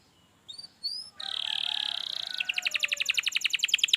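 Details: Canary song played to spur a lazy canary into singing: brief high whistles, then a long buzzy trill, then a fast series of bright descending notes.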